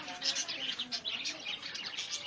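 Zebra finches chatter with rapid, nasal beeps and chirps packed closely together, several birds overlapping, with faint speech low underneath.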